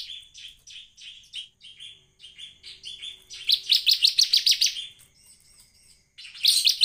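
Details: Bar-winged prinia singing hard: a steady series of evenly spaced high chips swells into a louder, faster burst of sharp notes, then a brief thin whistle before a final loud outburst.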